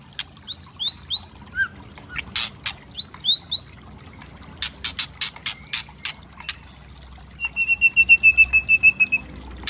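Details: White-rumped shama, a spotted 'trotol' form, in a provocation recording with loud 'kretekan' cracking variations: sharp upswept whistles, hard broadband clicks in irregular bursts, then a fast even trill of about a dozen high notes.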